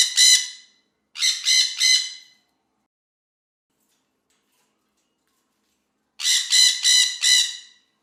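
A parrot gives harsh, grating squawks in quick bursts: one, then three, then after a pause four more, each a rough raspy screech.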